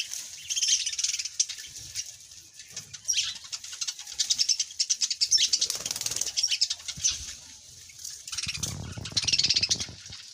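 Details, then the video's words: A dense chorus of high twittering birds, continuous and thick, with a soft low rumble rising near the end. "birds soothing birds chirps sound amaizing"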